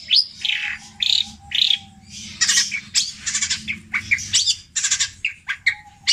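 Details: Long-tailed shrike, a captive Java bird copying tengkek buto, kuntilanak and greja in long, repeated petir-style phrases, mixes scratchy squawks, dropping whistles and clustered harsh notes, with a steady low hum behind.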